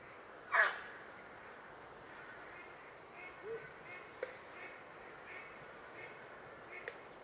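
A Grey heron gives one loud, harsh, croaking squawk near the start, followed by quiet background with a few faint clicks and distant sounds.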